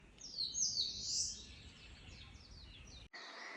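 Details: Eastern crowned warbler singing while stopping over on migration in northern Yokohama; a high, thin, buzzy phrase lasting about a second, followed by fainter descending slurred notes.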